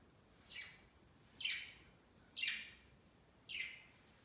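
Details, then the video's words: Several pet budgies gathered on a Christmas tree beside their cage, celebrating their first Christmas. Four short downward-sweeping chirps, roughly one per second, soft against a quiet background. "Budgies Flocking on A Christmas Tree 圣诞树上的小鹦鹉"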